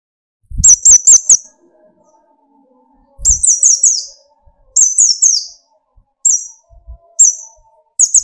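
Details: Kolibri ninja (sunbird) song for provoking other sunbirds: clusters of three to five sharp, very high chirps that drop slightly in pitch, repeated every second or two, with brief quiet gaps.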